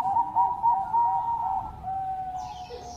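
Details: Bangkok-type zebra dove in active song meant to set rivals calling: a wavering sustained coo that steadies into a long level note, with a faint high chirp near the end.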